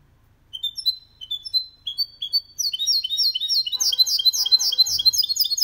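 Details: Goldfinch crossed with canary, singing clean without mistakes to encourage males to sing and young birds to learn: begins with spaced high chirps, then speeds into a dense, ringing twitter; a faint low buzz briefly underneath.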